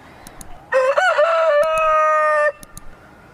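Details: Rooster crowing: one loud harmonic-rich crow of about two seconds, a short rising start then a long steady held note, with faint clicks before and after.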